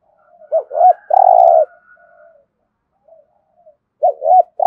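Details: Spotted dove 'gù thổ' cooing meant to urge other doves to coo: one full phrase of two quick rising notes and a drawn-out low coo, then a second phrase starting; a faint steady tone lies behind.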